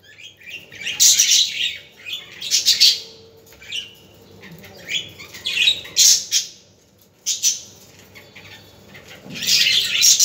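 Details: Budgerigars calling in short loud bursts of harsh, scratchy chatter, separated by quiet gaps of one to two seconds, in sounds used to stimulate budgies.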